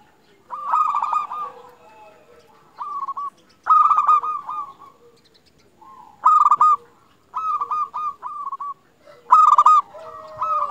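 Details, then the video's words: Local zebra dove, a keen singer, used to lure other doves into singing: a series of short, bright, rattling coo bursts, some doubled or tripled, with faint, lower drawn-out tones in the gaps. "Perkutut Lokal Gacor Paling Ampuh Untuk Pancingan Burung Perkutut Agar Bunyi"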